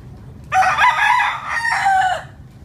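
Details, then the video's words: Rooster crowing in Cruz Bay, St. John, U.S. Virgin Islands, on 27 December 2015: a single loud, hoarse crow of about two seconds in several rough phrases, the last drawn out and falling, over a quiet background. "Rooster crowing"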